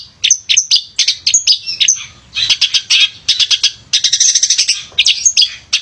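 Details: Male long-tailed shrike (pented), a busy singer kept to encourage lazy shrikes to sing; continuous high, scratchy, chattering song mixing rapid chips, thin whistles and harsher buzzy bursts.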